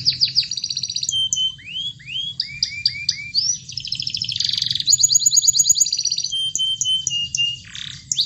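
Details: Lively 'gacor' canary song to rouse canaries that rarely sing: varied swooping whistles, lower curved notes, buzzy trills and high pure tones in quick succession, with a soft low hum behind.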